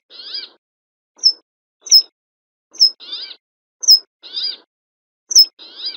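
Brambling giving sharp, high chips alternating with harsh, wheezy buzzing notes, each about half a second long, roughly every second against a quiet background.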